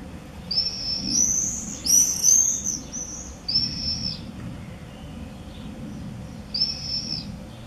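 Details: Several common swifts as 'bangers' around the entrance openings of observation nest boxes in Beek-Ubbergen, Netherlands, 8 June 2014, giving a burst of overlapping shrill, buzzy screams, then two separate single screams after pauses.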